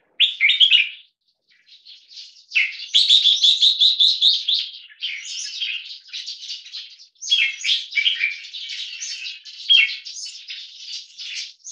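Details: A 1.5-year-old red-whiskered bulbul, a 75% crossbreed with stripe-throated bulbul, sings loud, chattering bursts of bright, bubbly phrases, several seconds long and separated by brief pauses, in a loudness test; red-whiskered bulbul song.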